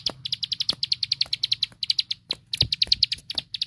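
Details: Ciblek sawah, or plain prinia, singing a master song for training larger birds: short bursts of quick, high, ringing notes in tight series, with dry ticking clicks between phrases.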